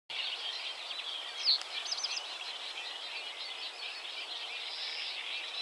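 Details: Eurasian reed warbler singing at a mapped site: a continuous, scratchy chattering of quick, harsh notes, steady and unbroken, with one brief louder squeak early on, against a faint background hiss.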